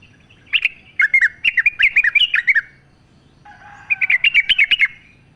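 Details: Wild sooty-headed bulbul in full song, natural sound used as a lure to get captive bulbuls singing: two bursts of rapid, bubbly, chattering notes, each about one to two seconds long, with a faint low steady tone beneath the second burst.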